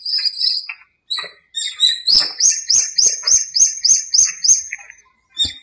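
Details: Birds in a small park at dawn in breeding season and the rainy season, one repeating a sharp high note about three times a second in a steady series amid background chirps.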